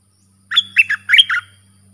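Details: Red-whiskered bulbul song for training hand-fed and young birds, sap dok, double and rik styles: five rapid, rich notes in a single second-long phrase over a faint low hum.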